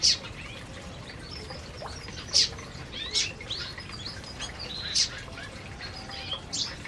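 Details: Canaries at their food in an aviary. Sparse sharp high chirps come every second or so against faint background twittering.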